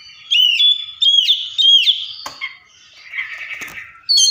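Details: Oriental magpie-robin (Copsychus saularis) singing and imitating other birds. Clear whistled phrases swoop and bend, some rising and some falling. They come in three quick bursts, then drop to a softer buzzy trill before a final bright note. The background is quiet.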